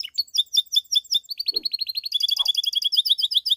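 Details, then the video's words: Pied Belgian canary singing in the bell style, used to stimulate other canaries to sing and females to come into condition: high rapid trills of repeated notes, shifting midway into a faster, denser run of bright chirps. "Canário Belga canto CAMPAINHA (sing bell belgian canary)"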